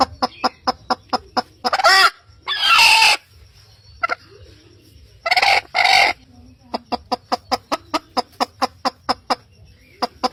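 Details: Morning crowing from a rooster, with several harsh, raspy, rising crows of about half a second to a second each, set among quick regular series of short sharp clucking pulses.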